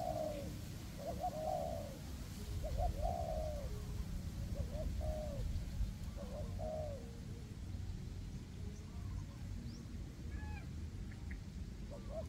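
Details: Forest trapping scene with two spotted dove decoys, one up high and one on the ground, calling to wild doves in windy weather; cooing phrases for about eight seconds, then thin high chirps of other birds and wind.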